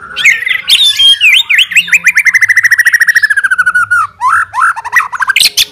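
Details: Challenging song of a fighter white-rumped shama seeking opponents: high sharp notes, then a long even series of rapid repeated chips gradually dropping in pitch, ending with upslurred whistles and a bright burst.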